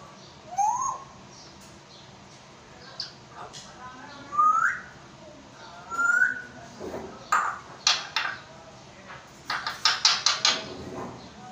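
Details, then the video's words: Talking African grey parrot in Pakistan: several clear rising whistles spaced a couple of seconds apart, followed by a rapid run of clicky, speechlike chattering bursts toward the end, over faint room noise. "Parrot talking in urdu | Talking african grey parrot"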